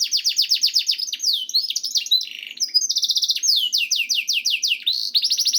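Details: Canary song played to encourage canaries to sing: quick downward-sweeping whistles, a harsh buzzy phrase, a very fast even trill, then more falling whistles and a closing rapid trill.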